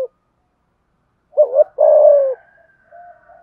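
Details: Decoy spotted dove cooing to provoke and call in wild doves; low soft coos, a short double coo followed by a longer drawn-out coo, with a faint steady whistled tone behind.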